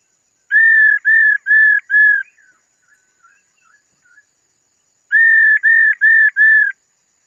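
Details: Calling to excite males, a female laughingthrush delivers its 'ro' call as two bursts of four even, flat whistled notes, with faint scattered chirps in the pause between them.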